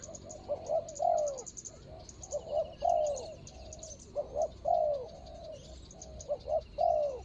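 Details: Spotted dove used as a ground decoy to lure a rival wild dove, recorded 24 January 2022: hoarse cooing phrases in repeated groups of two to three notes, with a steady high insect buzz and faint chirps from other birds.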